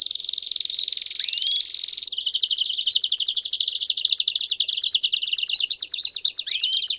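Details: Young-canary training song in campainha style: a smooth sustained high roll, then a faster pulsed trill, with occasional upslurred chirps breaking through.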